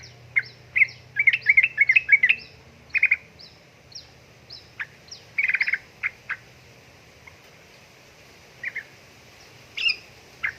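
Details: Female sooty-headed bulbul calling to a male: bursts of sharp chirps near the same pitch, clustered in rapid runs early on, then sparser single notes and short pairs spread over ten seconds, with a faint low hum beneath.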